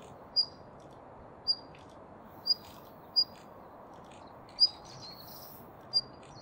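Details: Thin, high whistled notes from a Daurian redstart repeat about once a second, six or seven in all, each a short clear 'hiit'. Recorded at Kasai Rinkai Park over a soft background hiss.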